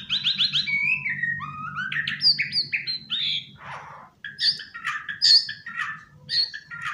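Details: A pet white-rumped shama, out of its cage and perched on a sofa, delivers a rich, varied song: rapid repeated high notes, then slurred whistles sliding up and down, and a burst of scratchy phrases, over a low steady hum.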